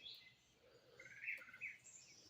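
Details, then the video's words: A cardinal gives a few sharp, high alarm chip notes, warning of a possible predator; the owner suspects a cougar might be around. "that's my Cardinals warning me"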